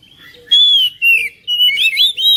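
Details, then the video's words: Oriental magpie-robin singing to stir another bird into song: four loud whistled phrases, smooth and slurred with some twangy notes, separated by short gaps, a faint hum beneath. "KICAUAN KACER"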